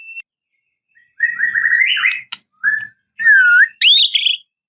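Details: Murai batu, the white-rumped shama, in a rival-provoking song: long rich whistled phrases, some rising and some dipping, broken by sharp clicks and short pauses, with a faint low rumble beneath.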